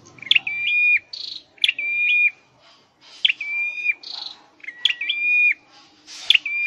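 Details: Song from a caged scarlet-headed flowerpecker trained for singing: a string of five loud whistled phrases. Each has a quick upward jump and then a sustained, even, pure note with a short buzzy tail.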